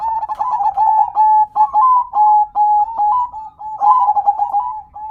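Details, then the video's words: Local perkutut zebra dove in a continuous cooing song: stuttered notes running into level, slightly rising coos, phrases following one another without a break, heard in a small room. "Dengar Dan Rasakan Manggungnya, Suara Serta iramanya BIKIN CANDU"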